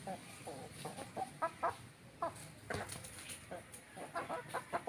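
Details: Rooster and hen, ayam kampung village chickens, clucking steadily: short, throaty, mid-pitched notes repeated several times a second throughout, some louder and brighter than others, with faint background hiss.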